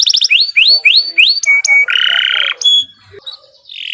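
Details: Kenari Nusantara canary singing in a long song meant as a master for training birds: quick repeated upsweeping whistles, a steady held note, then a harsh buzzy roll, followed by a short high trill.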